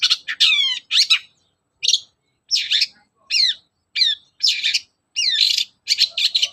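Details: Long-tailed shrike singing in the morning, a lure recording meant to make other shrikes sing: harsh, scratchy bursts mixed with steeply falling whistled sweeps, delivered in short phrases separated by brief pauses.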